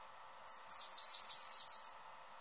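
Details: Male Anna's hummingbird calling from the feeder perch he guards: one quick high chip, then a run of about ten rapid, piercing chirps lasting a second and a half, then silence.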